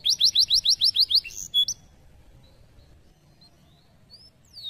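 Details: Canary delivering a rapid, even trill of sharp repeated notes for just over a second, followed by a brief pause and a few soft, scattered whistles.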